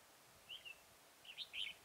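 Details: Trapping session for wild red-whiskered bulbuls at Chùa Hương, Mỹ Đức, 11 November 2017: one short two-part whistled phrase, then a louder rising and falling warble a second later, in quiet surroundings.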